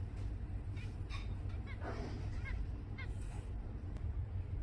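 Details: Zebra finches recorded in Singapore in November 2024 give brief nasal, slightly downturned beeps scattered every half second or so, set against constant low traffic-like rumble and faint background voices.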